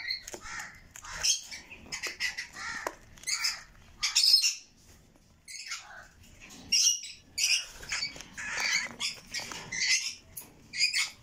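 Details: Red lory chicks giving harsh, raspy screeching bursts, high and noisy, in irregular runs of short calls with brief pauses between them.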